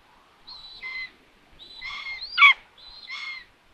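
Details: Common buzzard mother surprised by an empty nest during food delivery, Tiszalök, Hungary, June 21, 2022; three high, level mewing notes, the middle one rising then dropping sharply and loudest, with near silence between calls.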